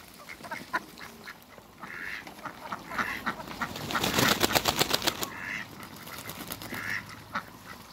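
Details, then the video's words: A pair of Muscovy ducks playing with water in a backyard give short, soft calls at intervals over a steady patter of splashing and dripping water. "COUPLE MUSCOVY DUCKS AFTER THE CREATE WATERBIRDS & PLAY WITH THE WATER IN THE BACKYARD"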